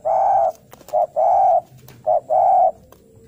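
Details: Spotted dove, a 'gacor' bird in 'narung' style, calling as if fighting and seeking a rival: low, mellow hollow coos, long notes alternating with short ones in a steady repeating phrase, with faint background noise.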